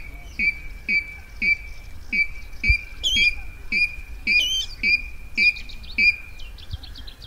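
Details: Rail calling as a lure for night net trapping, 2020: a long, regular run of sharp clipped notes about every half-second, with high squeaky twitters woven in midway, over low hum.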